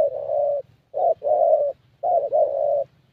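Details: ["Young 'thổ' Spotted Dove with a fairly good voice, cooing during a decoy meet-up with fellow keepers in Gia Lai, Vietnam: three low, mellow phrases, each a short note followed by a longer, steady hooting note."]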